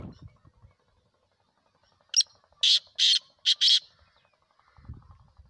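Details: Black francolin (kala teetar) calling: a short harsh burst followed by four loud, grating, broadband notes in quick succession over about a second and a half, with quiet low rumbles before and after.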